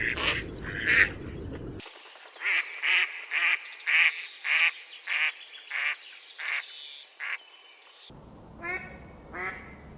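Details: Quacking from a duck in a pond: a run of a dozen clipped, evenly spaced nasal quacks, with rougher calls and background noise at the start and end.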